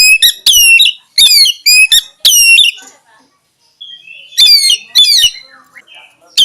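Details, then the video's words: Kacer, the oriental magpie-robin, a champion songbird, delivering bright repeated whistled phrases with falling strokes, a pause with faint twittering, then more loud ringing notes. "SUARA BURUNG KACER INI BIKIN BURUNG ANE MENJADI JUARA"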